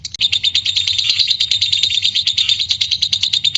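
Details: Lovebird in full ngekek, its long chattering song used as a prompt for other lovebirds; shrill chirps packed into a continuous, rapid stutter about three beats per second.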